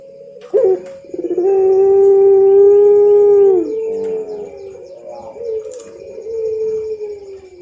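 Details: Barbary dove of the pelung type, a champion bird, singing a training model song: a long, steady, drawn-out coo held for about two seconds, then lower wavering cooing notes.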